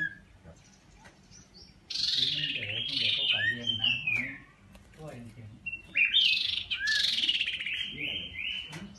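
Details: Common iora giving two bursts of clear, high whistled notes, each ending in a long drawn-out whistle, over a faint low hum.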